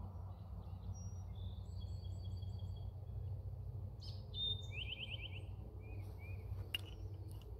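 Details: Eastern Towhee in Indiana on April 3, 2021, singing two clear opening notes then a quick buzzy trill, the classic drink-your-tea pattern, after thin high notes from other birds, over a steady low rumble.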